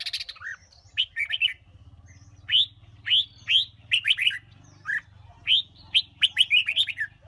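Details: Red-whiskered bulbul from Huế singing to urge newly caught birds into song for competition: repeated short, bright whistled phrases of rising and falling notes delivered in quick bursts about every second, over a constant low hum.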